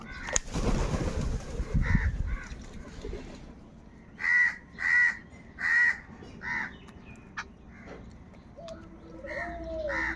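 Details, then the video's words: Crows in a huge flock fighting for food. A loud rushing burst opens, then a run of three strong, harsh caws about a second apart, followed by fainter calls and a rising squeal over steady background noise. "Huge numbers of Crows crowing and crying sounds"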